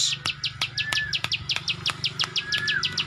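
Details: Ciwah, known locally as klik klik bird, delivering rapid, high, clicking ticks in a steady stream, with a few thin short whistles mixed in over a low background hum.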